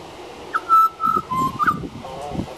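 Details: Juvenile pied butcherbird singing outside a back door: short phrase of clear whistled notes holding a fairly level pitch, then a slightly lower held note, with low rumbling background noise.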